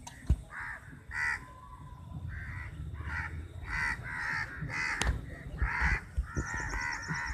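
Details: Many crows fighting over food: short harsh caws repeated irregularly, broken by sharp clicks and knocks, with a faint high tone late on.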